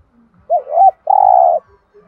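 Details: Single thúc gù phrase of a spotted dove, used to stimulate captive doves to call: a brief dipping note, then a sustained, even, mellow coo, with faint low clicks.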